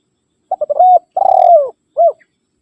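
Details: Rival call of a spotted dove, used to lure wild birds: staccato opening coos lead into a smooth level hoot, a long rolling coo bending downward, and a short rounded final note, with a quiet background.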